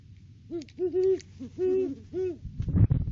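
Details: Off-season Great horned owl pair duet at the nest tree in December: a run of deep hoots, short and long, followed by a loud low thumping or knocking noise at the end.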